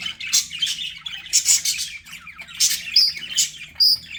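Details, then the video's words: Pet budgies give bright chirps and scratchy warbled bursts, ending with two clear, slightly rising whistled notes amid the chatter. "BUDGIE SOUNDS"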